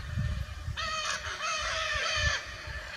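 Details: Free-flying wild Lear's macaws, also called indigo macaws, in Brazil: a harsh, raspy, drawn-out screech with a rough harmonic texture lasting about a second and a half, over low rumbling background noise.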